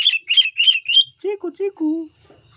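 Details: Four short high whistles in quick rhythm from singing pet cockatiels, then lower, throaty two-part syllables, fading into quiet background.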